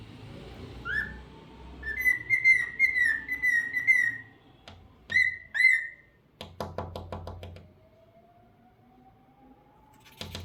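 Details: Pet cockatiel singing: clear whistled phrases, wavering and repeated, ending in a sharp upslur. Later a single long, slowly rising whistle sounds against a quiet room, and knocking noises are heard.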